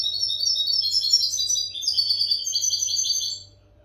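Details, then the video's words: Continuous European goldfinch song for teaching captive goldfinches: over three seconds of rapid, rippling, high twittering with tinkling trills and buzzy notes tumbling together, ending abruptly; quiet hum behind. "audio pará educar a los jilgueros sin errores |كيفية تعليم طيور الحسون نظيفة بدون عيوب"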